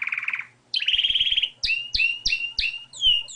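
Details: Singing wild Spanish Timbrado canary: a short buzzy trill and a sustained rolling phrase, then swooping notes repeated about every third of a second, with faint clicks in the background.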